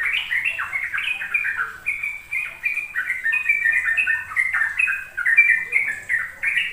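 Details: Sooty-headed bulbul in ropel style, a long continuous song played to young birds so they learn to sing it. Dense, unbroken chatter of bubbly slurred notes, rising and falling rapidly without pause.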